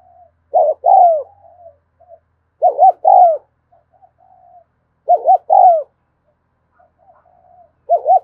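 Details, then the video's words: Spotted dove giving the continuous 'thúc gù' cooing style, recorded in the afternoon: paired arched coos, the second longer and falling, repeated about every two and a half seconds, with faint soft notes between phrases. "tiếng cu thúc gù hay và liên tục"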